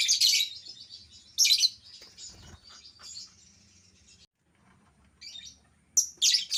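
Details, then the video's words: Albino lovebird: sharp shrill squeaky bursts trailing into buzzy chatter, a short quiet gap, then more piercing squeaks at the end. "burung lovebird albino yang jadi primadona"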